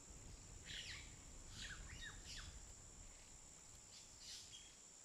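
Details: European goldfinch in a large breeders' aviary: a few quick twittering, sweeping notes between one and five seconds in, fairly faint over steady hiss and a constant high electrical whine.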